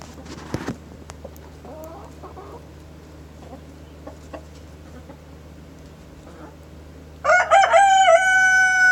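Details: Morning rooster crow arriving late: quiet scattered clucking and murmurs first, then a loud rich harmonic crow bursts in near the end, starting with stuttered notes and settling into a sustained tone.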